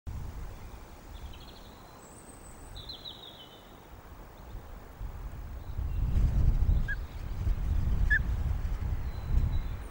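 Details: Resident osprey pair at the Loch of the Lowes nest in 2022, communicating before a change of incubation duty: faint, short whistled chirps in brief descending series, heard over steady low wind rumble that grows louder later.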